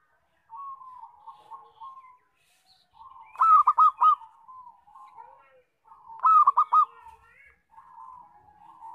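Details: Local zebra dove, loud song used as a lure for trapping: two phrases of a sharp arched note followed by three quick clipped coos, with softer steady cooing in between.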